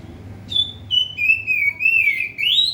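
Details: Caged oriental magpie-robin singing hard inside a cage cover to provoke a rival: a long, clear whistled phrase that slides down, wavers, then rises sharply at the end, over a low steady hum.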